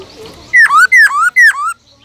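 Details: Black-throated laughingthrush kept in a cage, singing to spur other birds into song: three strong two-part whistles, each sliding steeply down and then lifting, with faint room noise between.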